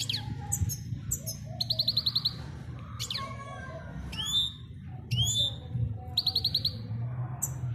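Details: Male European goldfinch singing to a female, kept for training: short twitters, fast rattling trills of several notes, and rising whistled slurs in repeated phrases, with a faint low hum behind.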